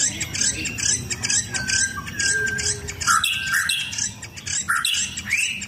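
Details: Contest-ready white-rumped shama in its cage, put out in the sun to stay fit and fighting. Busy jumble of short whistles, chips and upslurred notes, rapid and varied, over steady background noise.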